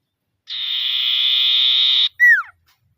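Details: Iora giving a rival-summoning call meant to provoke silent birds into singing: a sustained, even, reedy tone of about 1.6 seconds, followed at once by a brief falling whistled note. Background is silent.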